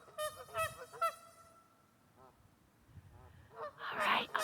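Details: Lively geese in West Virginia give three loud, nasal, harmonic honks in quick succession within the first second, then fainter wavering honks, ending in a burst of rougher, noisier calling.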